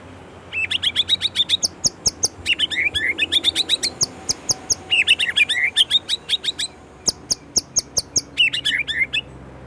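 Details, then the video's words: White-rumped shama from Indonesia in busy, rattling song: repeated bursts of buzzy, rapid chattering notes with sharp ticks between, separated by short gaps. "Murai Gacor isian Gurih"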